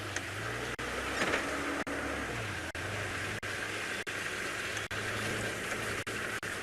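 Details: A steady low engine hum idles throughout, broken by brief regular dropouts, with faint background hiss and no animal calls.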